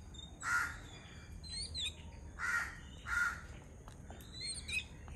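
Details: A flock of Yellow-billed Babblers eating coconut from a coconut shell give harsh, rasping squawks in three short bursts about a second apart, with thin high chirps between and a low background rumble.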